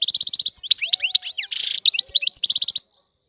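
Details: European goldfinch, a free bird said to be Algerian, delivering a fast run of evenly spaced chirps, then sliding twittered notes, a brief buzzy burst, and a closing quick trill before silence.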